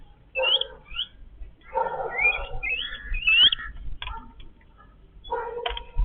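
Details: Family of Yellow-billed babblers eating together: harsh nasal chattering bursts mixed with thin, sharply rising squeaks, then a pause and a final rasping phrase.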